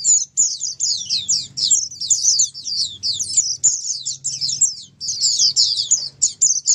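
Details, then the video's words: Several Oriental white-eyes sing together in a dense, unbroken chorus of high, thin, rapid twittering phrases over a faint low hum, played to prompt caged white-eyes to answer and sing. "Dengar Suara Pleci Ombyokan ini pasti nyaut burung pleci anda"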